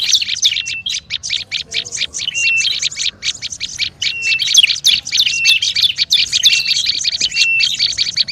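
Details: Olive-backed tailorbird giving a noisy, agitated lure call: a dense, fast stream of sharp chattering chips, about three per second, with short level whistles slipped in every second or so. Several overlapping voices and no other sounds.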